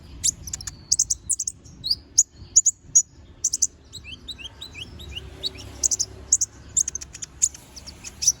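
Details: Little spiderhunter (konin) in full voice: rapid run of shrill chips and brief descending whistles, about two to three notes per second, with a steady low hum behind.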